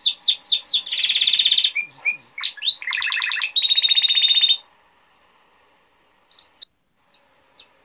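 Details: Male canary singing, described as a golden-throated king canary whose song teaches young canaries and stirs females for mating: fast rattling trills and rolled tours at changing pitches for about four and a half seconds, then near silence with faint chips.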